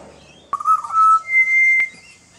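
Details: Pied Butcherbird (Cracticus nigrogularis), an adult with its partner and a juvenile in a garden, gives two pure, flute-like whistled notes, a steady lower tone stepping up to a higher one, framed by faint clicks; a juvenile is thought to be learning to sing.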